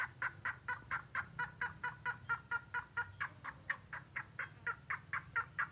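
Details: Red-legged crake lure call from nature: evenly repeated nasal, honking notes about two per second, strong and clear against a quiet background.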